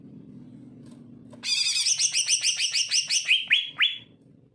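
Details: Song of a greater green leafbird, played to coax reluctant leafbirds into singing. After a short quiet start it bursts into a busy run of high, tumbling chirps, ending in a few clear notes that rise steeply.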